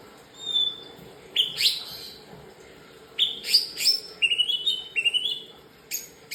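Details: Morning song of a white-rumped shama, clear whistled notes and sharp upward-sweeping chips delivered in short bursts, with a run of quick stepped whistles near the end and pauses between phrases.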